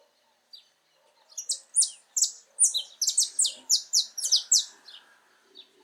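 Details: A saffron finch (Sicalis flaveola), singing free in its natural habitat, gives a rapid run of bright, high chirped notes, about three per second, in a burst lasting four seconds.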